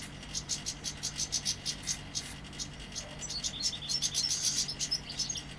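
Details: Young European goldfinch from Seville singing: rapid high ticking pulses give way to liquid, twittering phrases with thin, sliding whistles toward the end.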